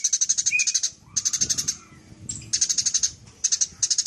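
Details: Eurasian tree sparrow in full chatter, a master recording for training other birds: clipped groups of sharp, high chips separated by short pauses, one thin whistled slur, and a low murmur of background noise.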